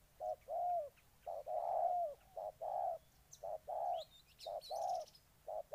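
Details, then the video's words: Spotted dove from Ninh Thuận, Vietnam, cooing a rhythmic song of short and longer low notes in quick series, roughly one per second, with faint higher chirps of other birds in the background. "Cu gáy Ninh Thuận"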